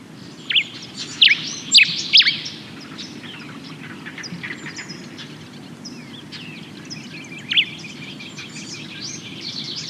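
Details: Common Diuca Finch spring dawn song, given just before daybreak: a handful of clear, high whistled notes, four bunched in the first two seconds, one more later, over soft background twittering.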